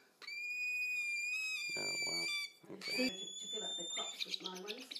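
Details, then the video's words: Hungry Sulphur-crested Cockatoo chicks in care with a wildlife carer noisily demand food with drawn-out, nasal begging wails, one held about two seconds then a higher one, a person talking over them. "Cockatoo chicks are hungry"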